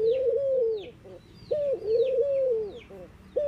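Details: Soft, mellow coos from mourning doves, a brief higher opening note followed by a long drawn-out wavering tone, repeated about every one and a half seconds, with high descending chirps of other birds in the background.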